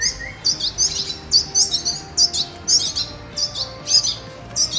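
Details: Red siskin chicks being fed: high, scratchy chirps in quick bursts about every half second, with soft tonal background music.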